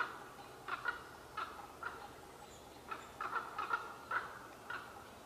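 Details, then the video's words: Unseen pair of common ravens conversing in trees at Qualicum Beach on May 23, 2011. About ten quiet, hollow, gulping notes come singly and in short clusters over a soft background. "Two Unseen but Loquacious Ravens Conversing in Qualicum Beach May 23, 2011"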